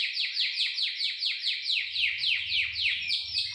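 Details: Canary song used to stimulate other canaries to sing and come into breeding condition: bright, descending sweeping notes repeated about four times per second in a steady run, with a low hum underneath.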